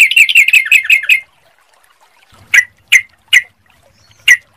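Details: Sooty-headed bulbul lure sound for starting other birds singing: a rapid burst of chirpy warbled notes lasting a second, then silence broken by four separate sharp, bright single notes.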